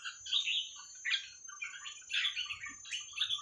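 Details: Red-whiskered bulbul in the 'Hua Krok Khayao Khuat' song style for tutoring young birds: quieter, continuous chattering whistles in several short phrases, with faint low thumps beneath.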